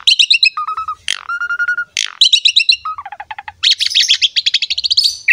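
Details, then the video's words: Asian pied starling singing a varied masteran song: chattering note series, flat whistles and sweeping slurs, then a long fast stuttering trill toward the end. "MASTERAN BURUNG JALAK SUREN GACOR ISTIMEWA"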